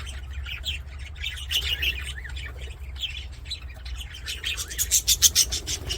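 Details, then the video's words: Budgerigars in an aviary singing while playing: loose buzzy warbling notes at first, then a quick burst of bright, clipped chirps near the end, with a constant low background hum. "BUDGIES SINGING PLAYING"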